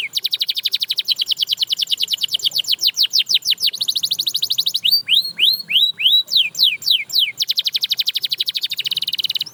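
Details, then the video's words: Canary singing, encouraging other canaries to sing again: long fast rolls of downward-sweeping notes, a break into slower arched whistles, then a return to a dense high trill lasting several seconds. "Watch How This Canary Inspires Others to Sing Again!"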